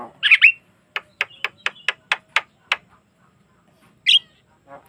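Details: Javan myna song for prompting other mynas to sing: a squealing opening burst, then a rapid even series of about ten dry clicks, silence, and a second sharp squeal.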